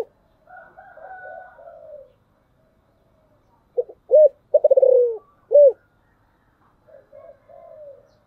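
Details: Lure spotted dove in the thổ sấm voice: one complete deep coo phrase, short notes, a loud coo, a throbbing descending coo and a final coo, framed by quieter higher cooing.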